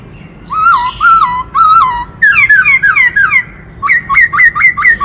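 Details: Black-throated laughingthrush pouring out a varied, many-voiced song: mellow whistled notes, then a burst of rapid descending slurs, then quick upward-flicked whistles repeated in a fast series.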